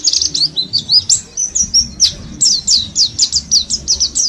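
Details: A mountain white-eye from Mount Slamet, a wild-caught bird kept about 10 days, twitters a busy, high-pitched stream of quick thin chirps and slurred notes, several each second, with faint low background rumble.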